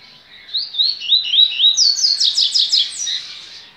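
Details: Bahian double-collared seedeater kept at a licensed breeder, singing a three-second phrase: wavy whistled slurs followed by a quick series of sharp descending sweeps, ending in a high drawn-out note.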